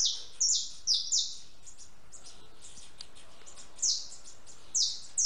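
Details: House sparrow eating and drinking at a backyard feeder, giving short high descending chirps in loose clusters of two or three, spaced by pauses, over a steady background hiss.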